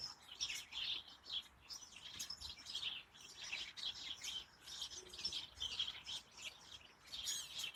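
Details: House sparrows in an allotment hedge, late October 2020, a busy overlapping chorus of bright, clipped chirps tumbling over one another without pause; the flock goes quiet when a person approaches.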